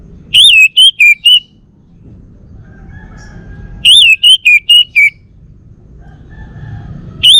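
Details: Male orange-headed thrush of Bali, a home-kept bird, sings repeated phrases of four to five loud, wavering, mellow whistles, each phrase spaced roughly three to four seconds apart, over faint background hum.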